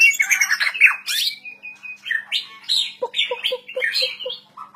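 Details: Lively song of a white-rumped shama (murai batu). Harsh, buzzy chatter and sweeping whistles come in quick succession, ending with a string of short, low, clipped notes. A faint low hum runs beneath.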